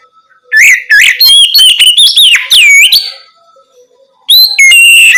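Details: Oriental magpie-robin in full song at night, meant as a lure to get other birds singing; a dense run of sweet whistles and buzzy notes, then a pause and a short rising, level whistled phrase.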